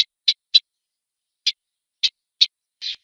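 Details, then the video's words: Eastern olivaceous warbler giving short, dry tacking calls, single high clicks spaced irregularly about half a second apart against a silent background. "Eastern olivaceous warbler song and calls"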